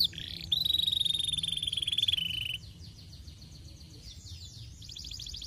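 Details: Canary master song for training: a sustained buzzy trill held steady for about two seconds, then softer fainter rapid notes and a high rattling trill at the end.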